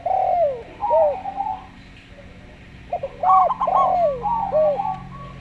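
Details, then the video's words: Zebra dove, local slow-voiced type, alongside a Javan derkuku as a lure recording: a burst of stuttered high coos sits between smooth, lower arched coos, with a faint steady hum beneath. "Perkutut Lokal Suara Slow"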